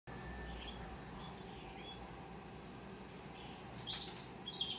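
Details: A young hand-tame opaline rosy-faced lovebird chick, recorded 20 December 2021, gives a few faint, thin chirps, then two sharper, louder squeaky bursts near the end, over a steady low room hum.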